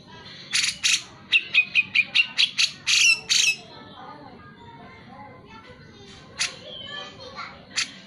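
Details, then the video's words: Grey-cheeked Bulbul in chattering song, used to stir lazy birds to sing: a fast burst of about a dozen short, harsh, clipped notes, then a quieter pause with a few isolated calls. "Cucak jenggot gacor, pancingan untuk cucak jenggot malas bunyi."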